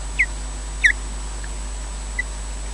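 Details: Wild ospreys on a nest camera at Loch Garten, Scotland, during a slow nest changeover as one bird takes over from its mate: a few short, high, clipped chirps, two fairly close together, then a faint one and a final soft chirp, over steady hiss.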